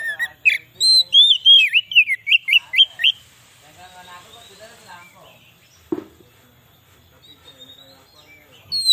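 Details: White-rumped shama song for luring wild birds: a rapid string of bright, rising and falling whistles for three seconds, then quiet scratchy chatter, a sharp click, and a final whistle.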